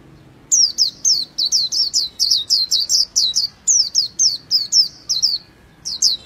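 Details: Japanese white-eye song: a steady chain of bright, high chirps, each dropping in pitch, repeated about three times a second with a brief pause near the end.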